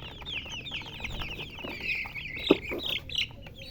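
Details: A group of colored chickens with high, downslurred chirps, the chorus a little sparser here, plus a sharp knock and a few scuffing sounds.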